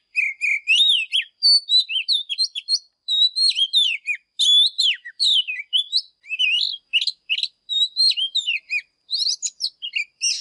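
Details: Sustained fired-up morning song of an Oriental magpie-robin, singing with display: a long, varied stream of melodious whistles, upslurs, downslurs and quick chirpy flourishes, phrases following each other in rapid succession with only short gaps.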